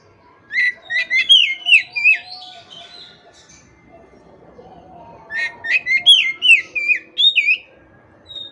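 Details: Oriental magpie-robin in lively gacor song, played to coax silent, stressed caged birds into singing back: two bursts of sharp, ringing whistles and down-slurred notes with a quieter low murmur between them.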